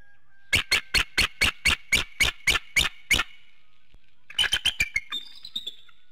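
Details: Bald eagles at a nest in Hanover, Pennsylvania, waking at 7:06 in the morning, filmed by an infrared camera. Eleven loud, sharp piping notes in a rapid even series about three per second, then a shorter burst of quicker chattering notes fading into thin whistles.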